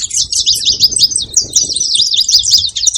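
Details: Short burst of saffron finch chatter, quick high squeaky notes and twitters in tight succession, with soft low background noise.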